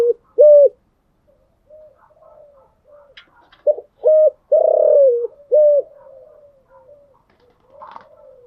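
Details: Spotted dove cooing in the morning, kept as a cage bird: a phrase of low, hollow coo notes, with a short note, a longer rolling coo with a falling end, then a final short coo, followed by softer trailing notes.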